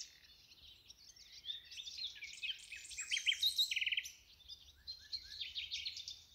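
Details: A common nightingale in Ribagorza, with green meadows nearby, sings a rich, varied phrase of high whistles, chirps and a fast rattling trill.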